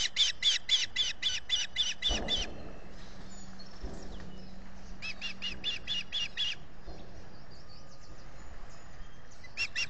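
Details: Calling for fish, an osprey at its Salt Point nest in the Finger Lakes, US, on 18 June 2021, on a solar nest camera; a fast run of high chirps, a pause with dull low thumps, another chirping run, then a brief final burst.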